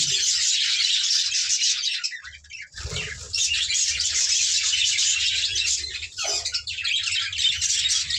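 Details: Budgerigars in a breeding colony on a farm, the keeper checking nesting pots holding eggs and chicks: dense, continuous high chirping and chattering from many birds, briefly dipping near three seconds, with a low rumble and handling noises.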